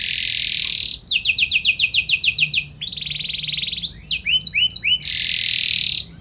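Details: Singing canary in 'gacor nembak' style with special 'cengkok' phrasing, to prompt other canaries: a buzzy tone, a quick run of clipped repeated notes, a steady trill, paired swooping whistles, then a long harsh buzz.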